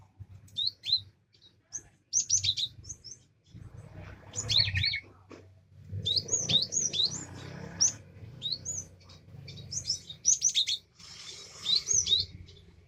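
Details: Java sparrow kept to coax a silent bird into singing, with bursts of high, clipped chirps and bell-like notes in short clusters separated by pauses, over a low steady hum.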